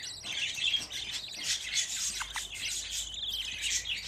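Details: A group of fifteen budgerigar chicks in one place gives a continuous mass of shrill, overlapping chirps and chattering trills, with brief sharper notes around one and a half and three seconds.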